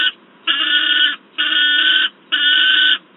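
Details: Three harsh, even screams, each lasting about two-thirds of a second, from a noisy juvenile peregrine falcon with an adult at Wałbrzych, Poland, 10 August 2022.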